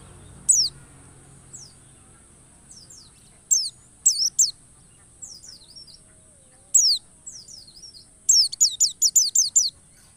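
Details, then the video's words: White-eye lure song meant to make other white-eyes sing wild-style, fierce and persistent: thin, very high descending whistled slurs, sparse at first, then a rapid burst of about eight quick downslurred notes near the end; faint steady high hiss throughout. "pancingan pleci agar ngalas penuh emosi dan ngotot"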